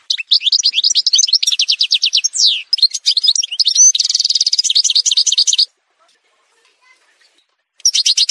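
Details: Algerian goldfinch (parva) song from a montage recording for tutoring birds: rapid high twittering with buzzy rattles and slurred notes for nearly six seconds, a two-second silence, then singing resumes.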